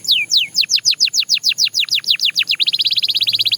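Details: A Belgian canary sings evenly spaced falling whistled notes, about four a second. Near the end they speed up into a fast, chattering trill.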